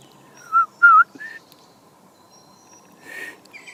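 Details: European robin on a cold garden morning, November 2014; two clear wavering whistled notes, a shorter higher note, then pause and a soft rustle with a faint higher note.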